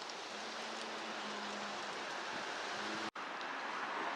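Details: Steady rushing broadband noise with a faint low hum and a brief dropout; no animal calls are heard.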